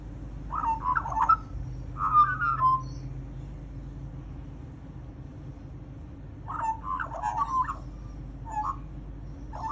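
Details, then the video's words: Magpie calling in two short bursts of mid-pitched, warbling chattering notes, separated by a pause, over a constant low hum. "Chat with a Magpie"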